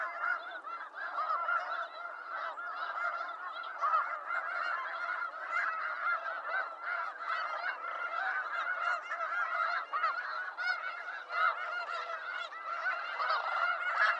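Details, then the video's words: Wild snow geese in eastern North America, a large flock giving a dense, continuous chorus of nasal, overlapping honks that never pause over fourteen seconds. "Snow Goose Sounds"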